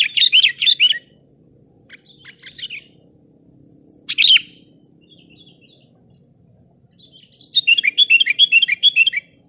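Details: Sooty-headed bulbul song meant to provoke rivals and draw wild birds into answering: bursts of bright, bubbly chirping notes at the start and end, a short single phrase in the middle, quiet gaps between.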